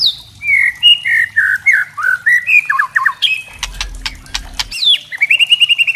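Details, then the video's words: White-rumped shama, murai trotol, singing kretekan to provoke other shamas: loud looping whistled phrases and a fast stutter, then a volley of sharp crackles over a deep rumble, ending in a rapid repeated chatter. "kretekan murai trotol"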